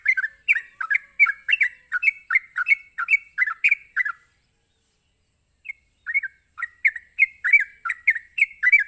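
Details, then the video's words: Sooty-headed bulbul in rapid ropelan song, used to stir other bulbuls into replying. A dense run of chortling whistled notes stops for over a second, then builds again. A faint steady high tone runs beneath. "suara Ropelan Trucuk"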